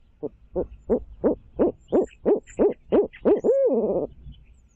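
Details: Barred owl at its nest in Midtown Tulsa: a loud run of about ten rhythmic hoots, swelling then falling, ending in a drawn-out wavering downslurred note, with faint higher chirps behind.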